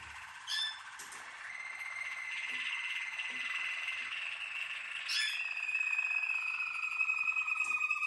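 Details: Malinois Waterslager canary held in a cage, singing sustained buzzy trilled tours on a level pitch that shift upward and downward between phrases, with a few short sharp notes breaking in.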